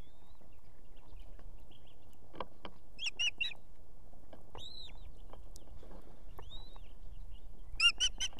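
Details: Evening at an osprey nest in Estonia, with a female and two chicks: the female calls the male to deliver food. Scattered short chirps and two drawn-out arched whistles, ending in a burst of rapid clipped notes, over faint low rumble.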